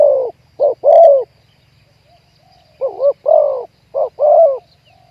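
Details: Spotted dove used in luring wild doves to a trap in Thailand, a wild bird with a deep 'ku-ang' coo, giving low hollow coos in grouped phrases of two or three notes, with a faint low hum underneath.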